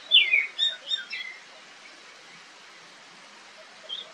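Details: Wild Oriental magpie-robin (kacer) fighting in the wild, singing and recorded on camera. A burst of clear, descending whistled notes and quick chirps comes in the first second and a half. Near-silence follows, then one last note.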